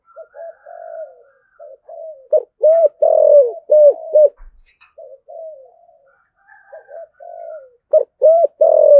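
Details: A spotted dove gives soft, low coos in short phrases ending in louder, fuller notes, a cooing-and-calling sequence played to stir other doves to coo.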